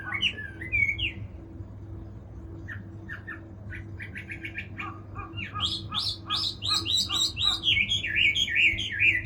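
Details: Chinese hwamei song opening with a warbled phrase, then short clipped notes repeated quickly, building into a loud series of looping, rising and falling whistles over a constant low background hum.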